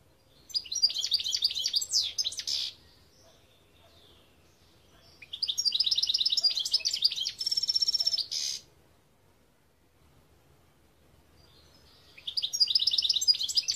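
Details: Singing European goldfinch, 2021: three long bursts of rapid, liquid twittering separated by pauses of about two seconds, each full of tinkling repeated notes, buzzy trills and a brief sustained ringing tone.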